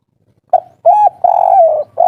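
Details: Spotted dove giving a local wild 'kuk 3' call, agitated and used to provoke other doves to reply: a short coo, then a series of mellow hooting notes, one long drawn-out and wavering, ending abruptly.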